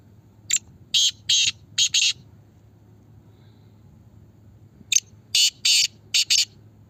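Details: Black francolin in Pakistan, calling in a voice competition: two loud bursts of the harsh, grating phrase, each a short note then four buzzy, raspy syllables spaced about half a second apart, over a low steady hum.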